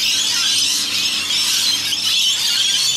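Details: Bathing rainbow lorikeets dip into a rain gutter in Australia, with roughly a hundred birds around. Unbroken shrill screeching and squealing from many birds at once, steady in loudness, over a soft low hum.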